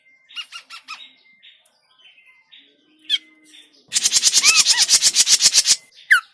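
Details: Lure for trapping, grey-cheeked bulbul: spaced nasal notes with arched overtones and a thin steady whistle, then a loud two-second chatter of fast grating pulses, ending in one downslurred note.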